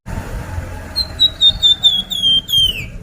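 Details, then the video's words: Sunda pied fantail song used as a lure to make birds sing: a quick run of about nine clear, high whistled notes, each slightly lower than the last, ending in a downward slur, over faint low background rumble. "suara pancingan burung flamboyan"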